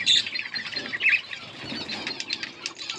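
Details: Yellow pair of budgerigars chirping, a dense mix of short high chirps and warbling notes with brief squawks, plus fluttering and rustling from the birds.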